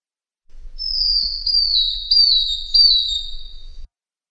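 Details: Madi injap song as a model for other songbirds: one long, high, slightly wavering whistle lasting over three seconds over a low rumbling background.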